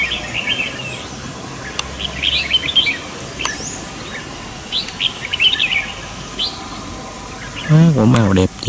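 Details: Red-whiskered bulbuls in a flock causing a commotion across the forest: scattered quick chirping phrases from several birds, then a loud human voice breaking in near the end.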